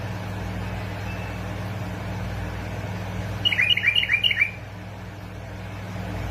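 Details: Bulbul from Basra and Fao, recorded to encourage bulbuls to sing: one quick burst of bright, chattering whistled notes that step downward, lasting about a second. A steady low electrical hum runs underneath throughout.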